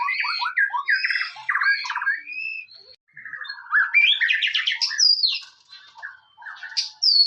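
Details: White-rumped shama song meant to provoke other shamas into singing: varied rapid warbles and trills, a brief pause near the middle, then long descending rattled phrases and high whistled notes.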